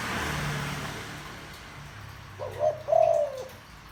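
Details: Spotted dove with a deep-toned voice, played to lure wild doves quickly. One low cooing phrase late in the clip: a short note, then a longer, steady hollow coo that drops at the end, over faint background hum.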